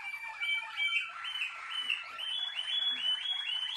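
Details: A Malinois Waterslager canary repeating short upward-curving chirps in a steady rhythmic series, roughly three per second, layered over a soft rolling trill.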